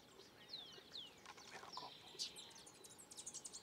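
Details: In Peru, a Collared Warbling-Finch sings a quick jumble of high, thin notes: descending slurred whistles, then rapid twittering trills, over a soft background hiss.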